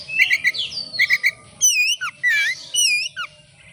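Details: Oriental magpie-robin (kacer) in vigorous song as a lure for other birds: short rattling chirp triplets, then loud swooping whistles that arc down and up, some ending in a sharp downward drop.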